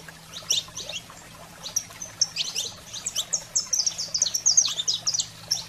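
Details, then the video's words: Saffron finch singing in an excited wild style meant to fire up caged canaries. Quiet start, then rapid clusters of high, sharp chirped notes grow denser toward the end, over a faint constant low hum. "Canário-da-terra Fogo Selvagem para Estimular a Fibra e Foguear seu Canário em Minutos"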